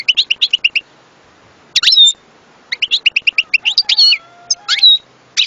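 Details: European goldfinch song with quick runs of rapidly repeated high tinkling notes, broken by slurred chirps and a few buzzy, drawn-out tones.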